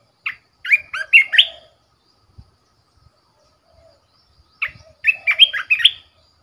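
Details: A caged red-whiskered bulbul used as a decoy bird gives two short, bright phrases of rollicking whistled notes about four seconds apart, with a few faint taps in an otherwise quiet background.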